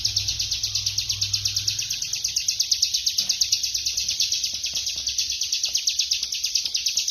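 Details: Bar-winged prinia (ciblek kristal) in rapid non-stop 'ngebren' song, a dense unbroken stream of high, fast-pulsed notes, roughly eight per second, holding steady throughout; a low hum is heard in the first two seconds.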